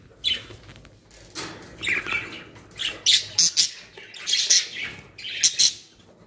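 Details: In a Pakistani birds collection, budgerigars utter separate sharp squawks and short warbling chirps, spaced about a second apart and growing busier towards the middle.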